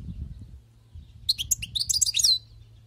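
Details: A wild-caught European goldfinch delivers about a second of rapid, bright, chattering high twitters after a stretch of low background rumble.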